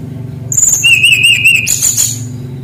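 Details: Brown-chested jungle flycatcher, described as singing persistently with rolling phrases, used as a tutor for young birds not yet in full song: high whistled notes, then a long wavering whistle, ending in bright overlapping trills, with low background hum.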